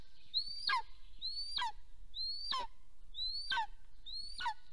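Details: Golden eagle pair at their nest in Soomaa National Park, Estonia, on the morning of 1 April 2024, with the male coming home: five thin, high whistles, each sliding up and then dropping steeply, spaced about a second apart over low background rumble.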